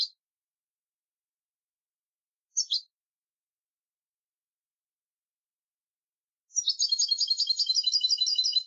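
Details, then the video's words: European goldfinch, clean 'limpio' style song from a 2020 collection: two isolated sharp high notes some seconds apart, then a fast, dense, high jingling trill starting near the end. Background otherwise silent. "CD jilguero limpio 2020"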